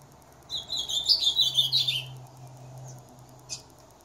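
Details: Ultramarine grosbeak delivering one loud, rich, rapid warbled phrase of high whistled notes for nearly two seconds, followed by a single short high note; a low steady hum sits underneath.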